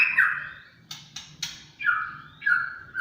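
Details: A champion white-rumped shama in 'tembakan cililin' song, giving slurred whistles that fall in pitch, separated by sharp clicking notes, roughly one phrase every half second.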